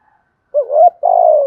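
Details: Single cooing phrase from a spotted dove kept as a decoy to attract wild doves: a wavering rising note leading into a longer, buzzy, level-to-falling coo.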